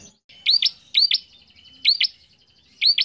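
A bar-winged prinia gives loud, sharp upswept whistled notes in pairs, repeated about once a second, over a faint steady high buzz.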